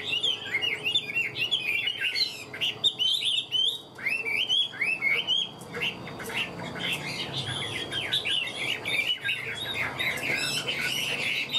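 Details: Caged hwamei pouring out energetic song: dense bursts of rapid whistled and warbled notes, swooping in pitch, with short breaks between phrases.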